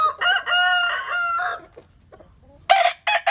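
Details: A sunbathing Jap Cuban bantam cock crows: a loud, clear, harmonic-rich note held for over a second, then a pause, then two short, harsh bursts.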